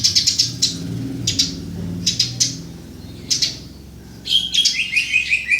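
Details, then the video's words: Eurasian tree sparrow (burung gereja) chirping, meant for tutoring songbirds: loud, sharp high chirps in clusters and single notes over a low droning hum, ending with a busier run of slightly lower, falling twittering notes. "Burger alias Burung gereja untuk masteran"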